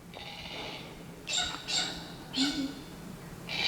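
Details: Glossy Black Cockatoos in south-east Queensland, back in a tree after an afternoon drink, calling with a wing-flapping chick about to fledge: short, raspy, wavering calls about once a second, high and creaky, over a faint hum and brief background voice.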